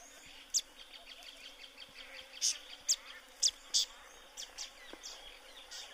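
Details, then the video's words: Tawny-flanked prinia (Prinia subflava) giving a run of brief, bright, high-pitched chips, some in quick pairs, irregularly spaced, with softer ticking and a constant hiss in the background. "Tawny-flanked Prinia (Prinia subflava) Bird Call"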